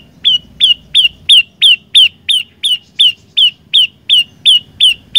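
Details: Fifteen piercing, evenly spaced notes from an olive-backed tailorbird, each a sharp chip dropping slightly in pitch, delivered about three per second over a soft low background hum.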